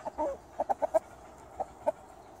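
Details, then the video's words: Chickens in a garden clucking: a short low burst, then a run of four quick clucks about a tenth of a second apart, a pause, and two more single clucks, over quiet background. "Hühner im Garten"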